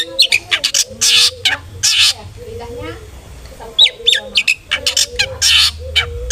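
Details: Cendet, or long-tailed shrike, giving harsh lure song aimed at making other shrikes sing aggressively: loud rasping screeches separated by brief pauses, with short whistles and nasal scratchy notes between them.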